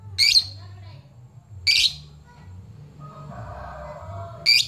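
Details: Lovebird calling while fluffing to challenge a rival, recorded as a lure for fighter lovebirds: three harsh, high chirps spaced over several seconds, with low background hum.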